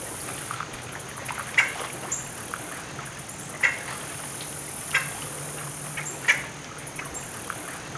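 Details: At Circle B Bar Reserve in Polk County, a grackle gives four short, harsh chack notes spaced a second or two apart, over a steady background hum like distant traffic.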